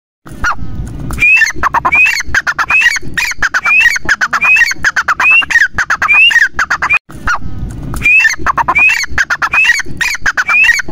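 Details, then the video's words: A partridge (teetar) calls loudly and harshly, with ringing notes that rise at the end, repeated quickly about once a second in a steady run. "Teetar ki awaaz"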